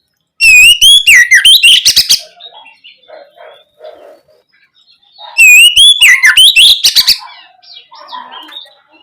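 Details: Two loud oriental magpie-robin lure phrases, roughly five seconds apart, each a bright whistle running into rapid chattering notes, meant to excite young birds to reply; soft low chirps fill the gap.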